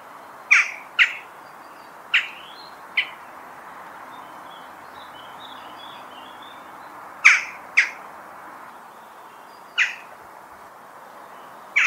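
A Western jackdaw gives eight sharp, abrupt 'tchak' calls at irregular intervals, sometimes in quick pairs. Faint twittering from smaller birds is heard in the background.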